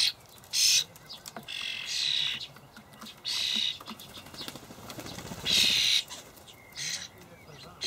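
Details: Juvenile common starlings being fed dried buffalo worms by adults in a Hamburg allotment, 28 May 2012; scattered harsh, hissy begging bursts between quieter stretches with soft rustling and a wing-flutter.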